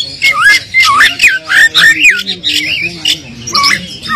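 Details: Oriental magpie-robin song, played as a lure to draw an answer from a bird lacking aggression: energetic twisting whistles mixed with harsh chatter, coming in bursts with brief gaps.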